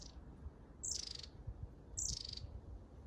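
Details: Long-tailed tit (Aegithalos caudatus) in Grunewald on 20 March 2021, giving two thin, very high calls that slide steeply downward, about a second apart, over a faint low rumble of background noise.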